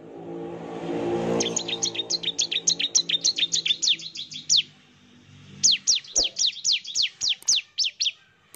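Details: Lively Bar-winged prinia song meant as a lure to make other prinias reply: two rapid runs of sharp, high chirping notes, the first long and fast, then a short pause before a second run of louder, downslurred notes.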